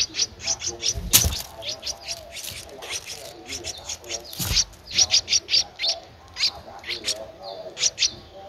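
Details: Streak-eared bulbul nestling, 13 days old, Ubon Ratchathani, Thailand, 15 April 2023: bursts of high thin squeaky calls, irregular and clustered, with two loud broadband thumps or rustles.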